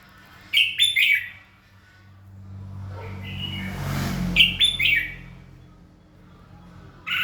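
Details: Red-whiskered bulbul morning song, used to stimulate other bulbuls to sing: two short bursts of rich, warbled chirping phrases several seconds apart, over a low steady hum.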